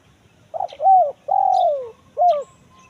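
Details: Spotted dove call of the kuk 1 mersik type, used to lure wild doves in the forest: a short soft note, a rising-falling coo, a long drawn-out falling coo, then one final clipped coo, all low and mellow in a quiet setting.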